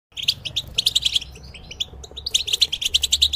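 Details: Caged European goldfinch song used to train cage birds: rapid twittering runs of bright, high chirps and trills, broken by a short pause, then resuming in dense repeated bursts.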